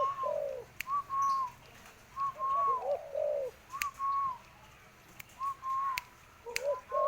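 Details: Tame spotted dove playing with a person's hand: soft, low, arched coo-like notes mixed with repeated higher curved whistles in short groups, a few sharp clicks, faint background hiss.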